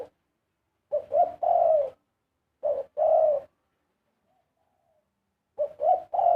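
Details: Big dove pouring out a sweet karam song, three low cooing phrases of short notes and a sustained mellow coo, separated by a long quiet gap.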